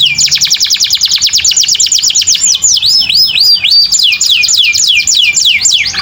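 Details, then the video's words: Canary in continuous song, used as a master for tutoring other canaries: rapid rattling series of high chirps giving way to looping, swooping whistles repeated about twice a second, with a faint low background hum. "burung kenari gacor dor durasi full 1 menit, Cocok buat masteran"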